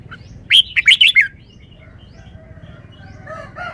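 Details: Caged red-whiskered bulbul in wild-song style: five rapid, bright whistled notes in a tight run, then near silence with a few faint chirps toward the end.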